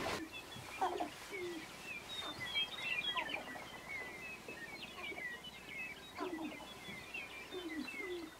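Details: Sharp-tailed grouse dancing in a meadow near Burwell, Nebraska: short, low, hooked cooing notes that rise then drop, given in scattered bursts, set against many higher chirps and twitters from other birds throughout.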